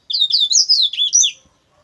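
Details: Double-collared seedeater, called coleiro bruto, singing a quick twittering phrase of high chirps and slurred notes running about a second and a quarter, each note bending up and down, then silence.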